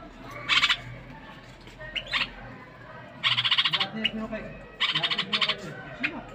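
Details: Caged bulbul singing to stimulate a female to mate: three loud bursts of harsh, rapidly pulsed chattering notes, each under a second long, with softer short chirps between them.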